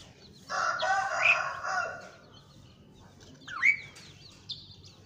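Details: Asian pied starling calling: a harsh, wheezy, rasping burst about a second long, then a clear upward-sliding whistle and a few brief high squeaks, against a steady low background hum.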